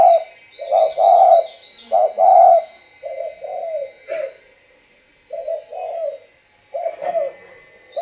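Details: Caged spotted dove at a breeding farm near Hanoi, Vietnam, cooing in paired and triple soft hoots in uneven bursts, while a person nearby calls encouragement and faint high tones hum in the background.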